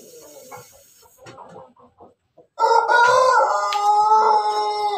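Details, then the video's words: Ayam Ketawa rooster crowing among hens in the morning: soft scattered clucks, then after a short pause a loud, sustained, harmonic-rich crow that holds steady for over two seconds to the end. "Ayam ketawa jago berkokok dengan ayam ayam babon pagi hari"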